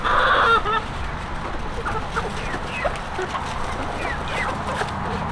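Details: A backyard hen gives a loud, nasal, goose-like honk, followed by a scatter of softer clucks and squawks from other chickens in the flock.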